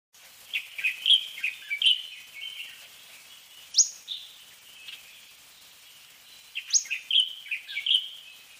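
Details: Fork-tailed sunbird singing: bursts of thin, high chirps and short twittering phrases with sharp upward-sweeping notes, a quiet gap in mid-recording, then another lively run of high chips.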